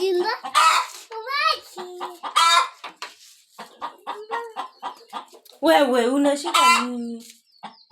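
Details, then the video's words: Hen ready to lay eggs in village surroundings: loud drawn-out squawks alternate with bursts of quick clucks, the harsh cries rising and falling in strong repeated bouts. "Ready to lay eggs|Hen"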